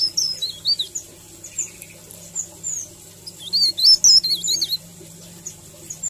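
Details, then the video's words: Melodious 'ngerol' song from a leaf warbler as masteran: a short high wavering phrase, a few scattered thin notes, then a louder burst of looping, rolling whistles near the end. "Suara ngerol merdu Cikrak daun || Masteran Cikrak daun"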